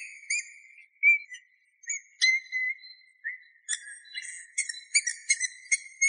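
Eurasian bullfinch singing soft, fluty piping whistles mixed with short creaky notes, growing busier and more clipped toward the end; nothing else is heard.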